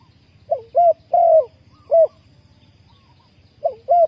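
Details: Spotted dove used to lure wild doves for trapping. It gives two phrases of mid-pitched cooing. Each phrase is a short note, a clear coo, a longer falling coo and a final short coo, with low rumbling background noise.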